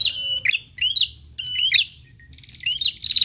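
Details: Prinia lure sound, answered by prinias. Quick bright chirps sweeping upward alternate with buzzy trills, four phrases packed into three seconds.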